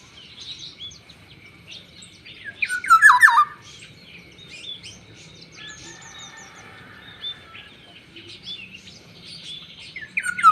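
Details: Black-naped oriole, called fierce, delivering one loud, tumbling, fluted phrase, with softer chirping phrases around it and a louder burst at the end. A constant thin high whine sits underneath.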